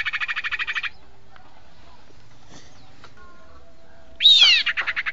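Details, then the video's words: Sirpu bird lure call: a fast, buzzy pulsed trill of about a dozen notes, then a sharp high upslurred whistle and another quick trill, against a quiet background. "Suara pikat burung sirpu"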